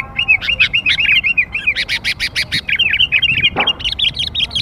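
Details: Sooty-headed bulbul lure sound for young birds: a fast, steady stream of bright chirping notes, several per second, continuous throughout.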